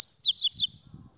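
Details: Brief burst of song from a double-collared seedeater: four or five quick, high, slurred whistles in under a second, followed by faint low rustling.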